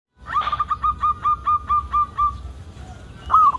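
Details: Local zebra dove song, used as a lure to get other zebra doves singing quickly: a rapid series of short, mellow cooing notes at an even pitch, about six per second, closed by a louder rolling coo.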